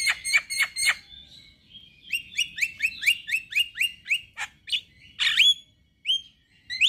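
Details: Male white-eyed Javan myna singing to get other mynas to join in: three harsh chucks, then a steady run of clear rising whistled notes about twice a second, ending in a rasp and upslurred whistles.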